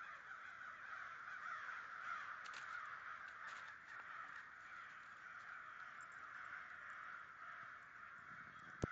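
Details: Massive gathering of about 100 American crows, New Jersey, 2011: a constant chorus of many harsh caws blending into a roar, ending with one sudden sharp knock.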